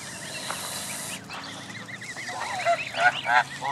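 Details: Gathering of Canada goose families and goslings at Jess Ranch Lakes Park, May 23, 2014: a broad noise burst first, then rapid arched peeps from many young and a few louder nasal adult notes near the end.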